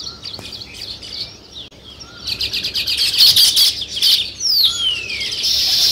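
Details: Sparrows, with weaver birds building a nest, chirp in a busy, overlapping chatter of high, short notes that grows denser and louder, with a few thin whistled slides among them.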